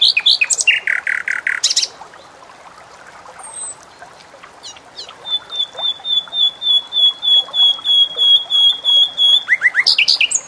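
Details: Bulbul song, described as one of the world's most melodious birds and used as a model for training other songbirds: loud harmonic chattering bursts, then a long series of rapid, evenly repeated high pure whistled notes, ending in more sharp rising notes.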